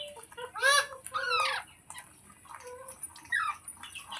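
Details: Short, rapid screeches from a ringneck parrot kept at home, two loud harsh bursts close together followed by fainter clipped calls and a brief rising squeal.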